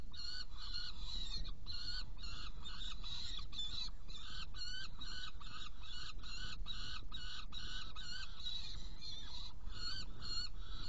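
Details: Saker falcon, Hungary, 16 June 2018, 18:57, prey delivery with two young being fed; rapid series of rasping, harmonic call notes, regularly spaced and sustained across the clip, with low rumbling noise beneath.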